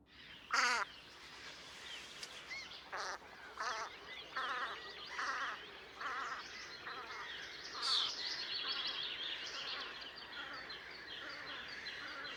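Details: Velvet scoter at Liepāja, Latvia, in March 2024: one loud, sharp nasal call, then a series of softer, repeated wavering calls, possibly from several birds, with scattered higher chirps and background hiss.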